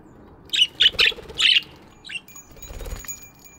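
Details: Budgies chirping in an aviary in the morning: four short bright chirps in quick succession, then softer scattered calls, with a faint fluttering of wings and a thin steady tone behind.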